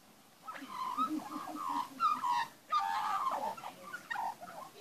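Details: Young magpies being fed in a backyard, with singing. Sustained, throaty warbling, rich in harmonics, flows almost continuously with slight pitch wobbles and a few louder whistled peaks.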